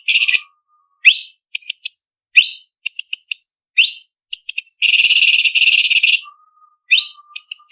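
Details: Leafbird singing in a training recording for song contests: sharp rising whistles and clipped high chirps in short bursts, then a long dense buzzy rattle near the middle, with a faint low steady tone between phrases.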